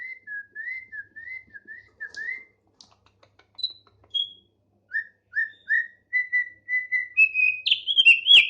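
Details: Tame thick-billed heleia in active song: evenly repeated wavy whistled notes, a short gap with faint ticks, more rising whistles, then an abrupt loud, scratchy flourish at the close.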